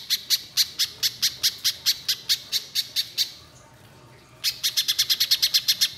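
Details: Orange-bellied leafbird in full voice with long song phrases: a fast run of sharp high chips, a brief pause near the middle, then a quicker burst of the same crisp, ringing notes.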